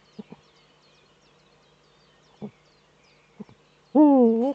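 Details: Male Eurasian eagle-owl courting in its nesting niche, filmed by a nest webcam in northern Rhineland-Palatinate, Germany, on 4 May 2013: three short soft clucking notes spaced apart, then a loud, drawn-out, harmonic call that dips and rises slightly.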